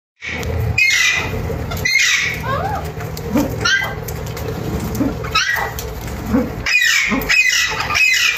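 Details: Newly acquired pet Alexandrine parakeets giving loud, harsh, raspy screeches in repeated bursts, with some rising and falling squawks between them and a low background hum throughout.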